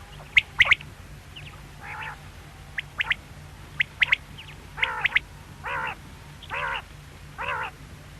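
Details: Sharp triple-note quail calls alternate with lower, harsh buzzy notes given about once a second, all over a faint low drone.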